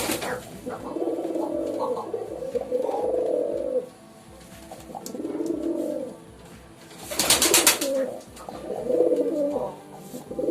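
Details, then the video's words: Several pigeons cooing in long, bubbling, rolling phrases with lulls between them, and a loud burst of wing clapping near the end. "Pigeon Sound Effect 🦅 Pigeon Sound"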